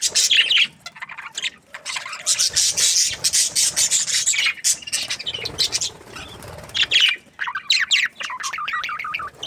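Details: Happy budgie chirping: harsh, rapid chattering bursts at first, then a clearer run of wavering warbled notes near the end.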